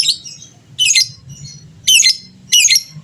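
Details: Vigorous fighter lovebird calling to make rival birds answer; four loud, harsh, buzzy squawks, the last two closer together, with a low indoor hum beneath.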